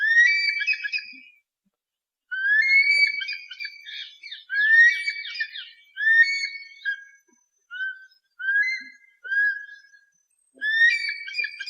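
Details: Eagle calls used to scare away pests: loud whistled screams with harmonics, each note sliding up then falling, repeated in bursts with short silent gaps between phrases.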